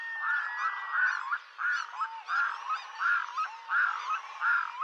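A Red-throated Diver gives a steady series of hoarse, goose-like honking notes, about one every three-quarters of a second, with faint thin whistles behind.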